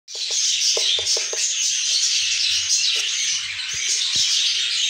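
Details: Budgerigar chicks in a nest give a dense, continuous, raspy high chatter that runs unbroken throughout, with a few faint low clicks and knocks beneath.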